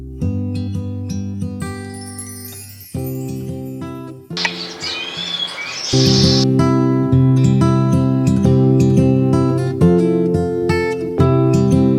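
Plucked guitar music fills the whole stretch, with a brief hissy noise burst in the middle and no animal calls.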